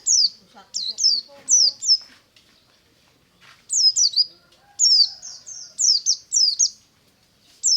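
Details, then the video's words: White-eye singing ngalas in the morning: series of high, falling, whistled notes in clusters, with a pause mid-recording and faint low chatter underneath. "BURUNG PLECI NGALAS DI PAGI HARI"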